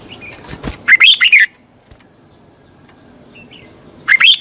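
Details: Training recording of a red-whiskered bulbul's morning song for caged birds: a crisp burst of four warbled whistles after a couple of clicks, a long pause, then another phrase starting at the end.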